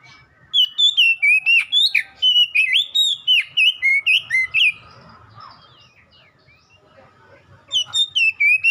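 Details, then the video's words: Kacer, the Oriental magpie-robin, in a training chorus meant to make caged birds answer and sing: a long burst of bright, warbled whistles and chirps in rapid, slightly uneven succession, then a lull with soft background twitters before the phrases resume. "KACER BAHAN OMBYOKAN LANGSUNG RESPON IKUT GACOR"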